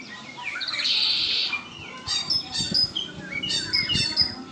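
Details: Song of a kept Red-winged blackbird: a long, harsh buzzy trill, then a rhythmic series of bright clipped notes repeated roughly every half second.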